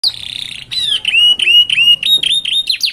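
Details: Young canaries singing in a distinctive rhythm at a roadside: a long high buzzy note, then a string of bright whistled notes, each dropping in pitch, repeated in quick succession.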